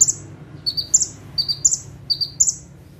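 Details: Bar-winged prinia (ciblek, prenjak tebu) singing energetically in full tembakan style from a single perch, sitting still; high, sharp paired chirps followed by a brighter twittering burst, phrases repeated about every 0.7 seconds, with a faint low hum behind.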